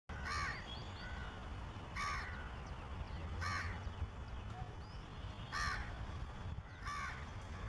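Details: Crow making noise that signals a shikra nearby, which is preening: five harsh, rasping caws, spaced roughly every one and a half to two seconds, over a steady low background rumble.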